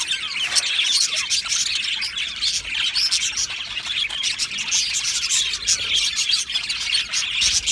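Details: Budgerigar colony chirping happily in an aviary: many birds twitter and warble at once, thick bright chatter with sharp clicks and squeaks running throughout.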